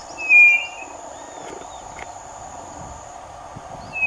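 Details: White-bellied Nothura, heard from another unseen bird while one walks along a road, gives a clear, high, level whistle lasting about half a second, then begins another at the end, over a steady insect-like hiss and low hum.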